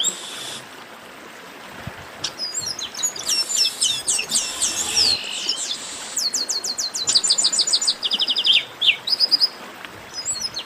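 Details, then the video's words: Chestnut-capped blackbirds in a "baderna", a noisy group chorus played to get kept birds singing: overlapping high whistles, upslurred notes and rapid metallic trills from several birds, building toward dense repeated chip series in the second half. "Baderna de Garibaldi 🔥, Esquente já o Seu!!!"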